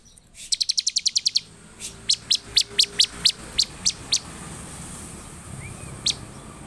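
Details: Bar-winged prinia in an emotional, full-voiced song meant to provoke others of its kind. A quick run of about ten high clicking chips, then a slower series of separate sharp notes and a final lone chip over steady hiss.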